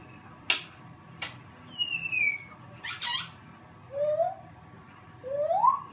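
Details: Pet African grey parrot indoors making sharp clicks, a descending whistle, then two rising slurred whistles, with quiet room noise.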